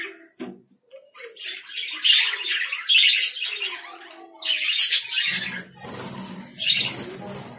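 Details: Lovebirds making loud, grating squawks in clusters, with a quieter pause in the middle and a low rumbling background in the second half.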